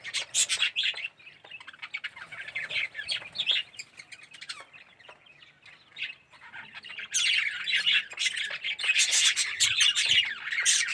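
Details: Budgerigar colony in an aviary, yellow birds with red eyes: intermittent chirps and warbles early, a quieter stretch, then a loud, steady wave of overlapping chatter from about seven seconds.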